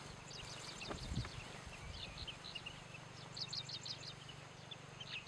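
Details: Two Chestnut-headed bee-eaters at Khao Yai trade quick, high chirping notes in scattered bursts, as if conversing, over a steady low rumble.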